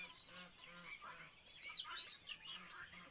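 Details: A wild turkey gobbles while showing off its dominance, a loud, rattling burst of rapid gurgling notes that peaks midway, with harsher overlapping fowl calls before and after.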